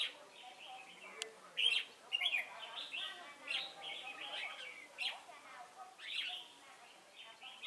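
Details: Decoy red-whiskered bulbul singing during trapping at Chùa Hương on 28 November 2017: lively, slurred whistled phrases in quick irregular bursts, the strongest early on, over continuous faint twittering.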